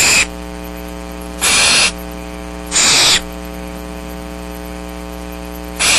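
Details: Downy barn owl nestlings at Starr Ranch on a rainy March day in 2010, patiently waiting to be fed, giving loud rasping hiss-screeches spaced a second or more apart, with constant mains hum underneath.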